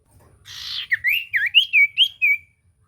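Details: Common iora singing, recorded as a lure for silent birds: a brief hiss, then six or seven bright, wavering whistled notes joined into a flowing phrase.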